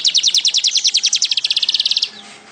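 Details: Weaver (manyar) singing energetically, pouring out a fast, rattling series of roughly thirty high chipping notes over two seconds, slightly slowing near the end before falling silent amid faint background hiss.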